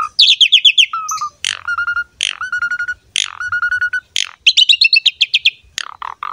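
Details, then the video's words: Asian pied starling in energetic 'gacor mompa' song, used as a lure to prompt young starlings to sing: bursts of rapid high chirps alternate with level whistled notes and harsh buzzy phrases, delivered nonstop. "PANCINGAN JALAK SUREN GACOR MOMPA FULL MATERI MEWAH UNTUK JALAK MUDA"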